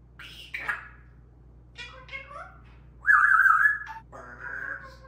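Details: One mischievous parrot interrupts two others in noisy chatter: short harsh squawks, scattered chirps and slurs, then a loud buzzy sustained call and a rapid run of stacked notes, over a low hum.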